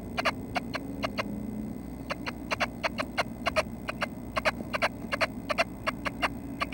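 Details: Nuthatches at the nest at 6:30 am, May 25, close to fledging; brisk clicking chirps about two or three per second, with a low rumble in the background.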